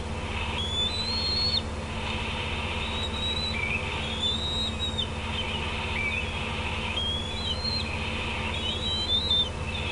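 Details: Decorah bald eagles in June 2016, a parent on an outer branch with juveniles close by and on the nest. A series of high whistled, slurred calls come in clusters, some rising and some falling, over a steady hum.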